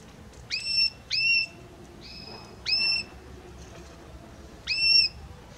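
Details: Belgian canary singing with a harmonious voice: well-spaced clear whistled notes that hook upward, mostly in pairs, with a soft sustained tone between them against a quiet background.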